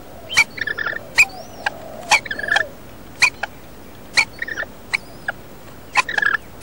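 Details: A wild female rainbow lorikeet, incubating eggs inside a roof, is fed by her mate. She gives harsh, gobbling begging notes roughly once a second. Each note is a quick cluster of squeaky, harmonic chirps.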